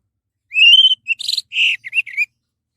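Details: Orange-headed thrush song, played as a lure to make other birds sing: one long, slightly rising whistled note, then a quick run of short whistles and a harsh buzzy note.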